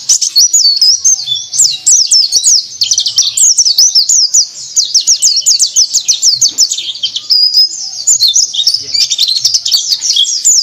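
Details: White-eye singing in the ngriwik style, a steady run of fast, thin, high chirps and short twittered notes that rise and fall in quick succession for the whole stretch, with faint low background noise.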